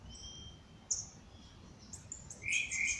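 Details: Dawn birdsong in nature: a long thin high whistle, a sharp chip, then a loud bright twittering burst closing the moment, over faint hiss.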